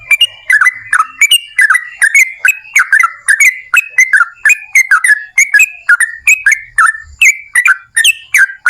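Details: Energetic yellow-vented bulbul in long 'ropel panjang' style singing, used as a lure for other bulbuls; bubbly, slurred whistled phrases with sharp onsets, delivered in quick succession, some rising and some falling.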